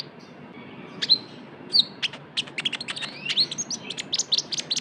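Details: Lure recording of a konin, Van Hasselt's sunbird, in trotol style: two loud isolated sharp chips, then an accelerating stream of very high ticks and slurred whistles running to the end.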